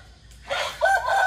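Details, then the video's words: Rooster crowing in the morning: a brief, harsh, harmonic cry that starts abruptly after a short quiet lead-in and holds steady, cut off before it ends. "Roster Sounds in the morning"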